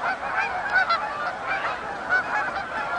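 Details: Canada geese coming in at Oak Hammock Marsh and Fort Whyte; a dense chorus of many overlapping nasal honks from a large flock, with brighter honks standing out near 0.8 and 2.1 seconds.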